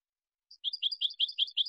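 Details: European goldfinch giving a brief burst of lively twitter: a thin opening note, then quick paired chirps alternating high and slightly lower, about seven pairs in just over a second.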